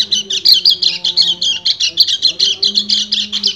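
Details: Male white-eye singing 'ngecir' to call a female in breeding condition: dense, high, buzzy trilled phrases in fast pulses, over soft low droning tones in the background.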